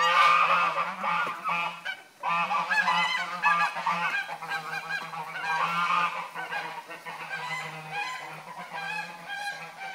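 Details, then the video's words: Angry geese honking loudly and continuously, harsh nasal calls overlapping in a dense, chaotic chorus with a brief pause near two seconds, then renewed agitated honks from several birds. "Angry birds - Gans blöd gelaufen"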